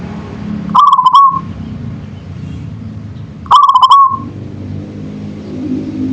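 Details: Manggung song of a local perkutut, the zebra dove: two clear, quick-pulsed cooing phrases about three seconds apart, each a rolling stutter ending in a drawn-out note, with low-pitched background rumble throughout.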